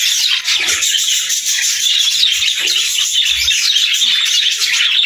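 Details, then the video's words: Continuous budgerigar warbling: many fast, twittering, scratchy notes run together into a steady, bright chatter. "Parakeet Videos | Beautiful Birds Singing"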